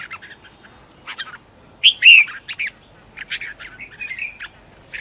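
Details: Red-whiskered bulbul kept as a decoy bird, singing at home in competitive style to lure wild birds and spur other bulbuls to sing; loud, short whistled and slurred notes in quick bursts, with rising and falling twisted phrases and scattered sharp chirps.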